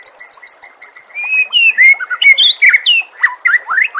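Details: White-rumped shama in full song with nature sounds and trickling water behind: a quick series of high, evenly spaced chirps opens, followed by a loud, continuous jumble of bright whistles, sweeping slurs and chattering notes.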